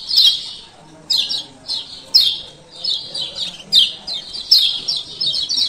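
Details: Male lemon-bellied white-eye from Lombok giving 'ciak ciak' calls, used as a lure to get silent birds singing again; sharp high chirps in bursts about once a second, each a quick descending cluster of notes.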